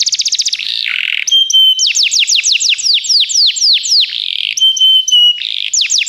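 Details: Canary of the Begie type singing for song training: fast trills of steep falling notes, a buzzy low phrase, pure high whistled tones and rapid repeated syllables, about four per second.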